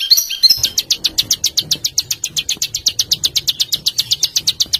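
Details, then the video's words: A small bird gives coarse 'besetan' song meant for mastering caged birds: a couple of sharp chips, then a steady, fast, rasping high trill repeated about four times per second. "Suara Masteran Burcil Besetan Kasar"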